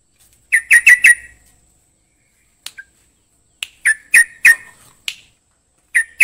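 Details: Caged trucukan, a songbird, singing bursts of rich, loud, slightly harsh notes, several clustered quickly together, then pauses of one to two seconds before the next burst.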